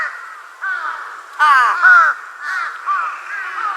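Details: A young Large-billed Crow, forehead feathers raised, relaxed, gives a run of hoarse, nasal caws, some short and some drawn out, with a louder burst partway through.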